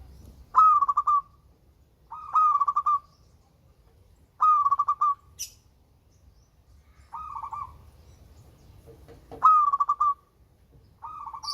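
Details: Local zebra dove with a melodious voice: short rolling coos, each a quick burst of pulsed, slightly falling notes, repeated about every two seconds in six phrases, with a brief high chirp between them.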